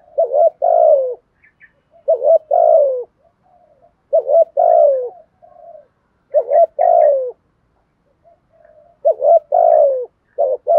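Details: Spotted dove decoy bird with a fine, well-structured cooing voice, used to prompt newly caught doves to coo quickly. Low mellow phrases of several cooing notes, the longer note sliding downward, repeated about every two seconds, with a few faint chirps between.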